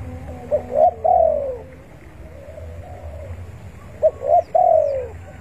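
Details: Spotted dove calling rivals, a lure call for trapping; two bursts of three-part cooing, quick short coos leading into a long falling coo, with a quieter coo between and light background noise.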